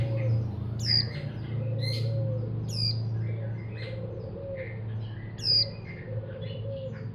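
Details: Captive untrained mountain white-eye (pleci) repeating high downslurred chirps among scattered softer twitters, a low wavering note underneath and steady low-frequency hum.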